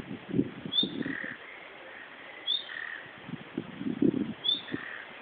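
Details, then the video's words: Common nightingale calling, not singing, from bushes in Berlin: a short, high upslurred whistle repeated about every two seconds, three times, with low muffled thumps and rumbling underneath. "fiepen und schnarren einer nachtigall"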